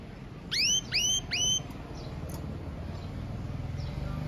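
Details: Red Mosaic Agate canary giving three loud, clear upward-sweeping whistles in quick succession, then a quieter pause with a soft low rumble behind.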